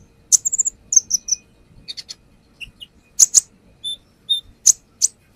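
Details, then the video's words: Brown-throated sunbird repertoire song used as a lure: loud sharp chips, a quick rolling run of high notes, short falling whistles and spaced, thin tinkling calls. "AKSI KONIN NAGEN BONGKAR ISIAN | Pancingan konin"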